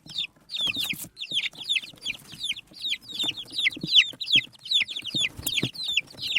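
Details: Desi chicks feeding on rice chirp constantly, a busy stream of sharp falling peeps about two or three per second, with soft knocks and scratching from below.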